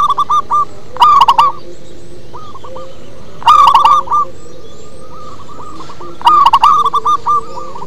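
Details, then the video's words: Deep-voiced local zebra dove song: three loud, clipped, trilling coo phrases about two and a half seconds apart, with softer answering coos from other doves in the gaps. "Perkutut lokal manggung ngebas"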